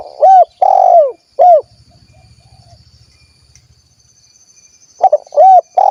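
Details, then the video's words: Spotted dove, kuk 1 type, Cilacap in Central Java, Indonesia: a rich phrase of three falling coos, a soft low purring rattle in the pause, then the cooing phrase resumes, with a constant faint high whine behind. "SUARA BURUNG TEKUKUR / DERKUKU KUK 1 GACOR"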